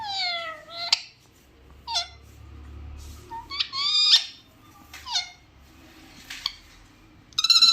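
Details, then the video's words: A little parrot talking makes a string of short descending whistled notes and sharp chirps, each under half a second, irregularly spaced, with a burst of louder squawking at the end. "parrot talking"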